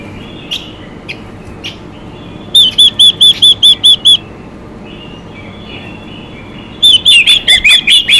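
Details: A female Chinese hwamei sings to excite males. Faint scattered notes give way to two bursts of loud, evenly spaced looping whistles, six to eight per burst, separated by a few quiet seconds.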